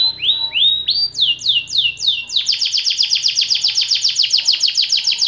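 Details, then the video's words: White AF canary in long-duration song: rising whistled slurs repeated about twice a second, then a rapid run of fast, buzzy downward-sweeping notes rolling on without pause. "KENARI AF PUTIH DURASI PANJANG"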